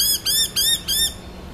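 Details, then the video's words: Four harsh, arched squawking notes from noisy miners reacting to an owl model at Corso reserve, Brisbane, Australia, 29 August 2012, each note about a fifth of a second long, then fading to quiet background hum. "noisy miners response toward owl model"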